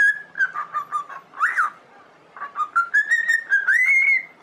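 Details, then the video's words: Singing pet cockatiel used for song training: a quick run of wavering whistled notes, a short gap, then a climbing series ending in a long bright whistle over soft background hiss. "Training Cockatiel to singing"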